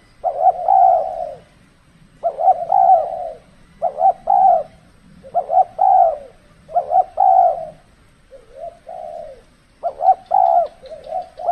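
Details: Spotted dove calling as a trapping decoy in extreme cold-season weather; a long run of paired short notes and sustained coos, repeated in groups, with a softer, lower coo near the end and faint low background hum.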